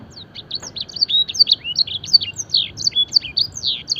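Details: Fancy canary mimicking the song of a blackthroat, a training recording: a lively, unbroken chain of bright whistled notes, quick up-and-down slides and short chips over a quiet background.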